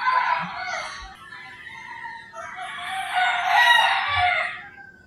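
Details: Roosters crowing in the early morning in rural Philippines, two long loud harsh crows overlapping with a fainter distant crow.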